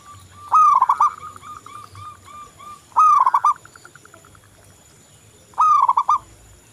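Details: Lively local zebra dove song used to stir other doves into singing: three loud phrases about two and a half seconds apart, each a bent, trilled coo, with quieter repeated notes between them.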